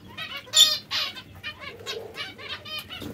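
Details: Breeding pairs of zebra finches calling: clear, nasal, trumpet-like beeps in quick succession, with one louder, buzzier burst near the start and brief pauses between notes.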